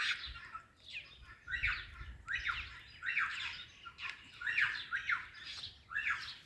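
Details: Talking ringneck parrot greeting an Alexandrine parrot: a run of harsh, raspy bursts, about one every second, each a short squawk-like phrase of rough notes with uneven spacing and a low rumble beneath.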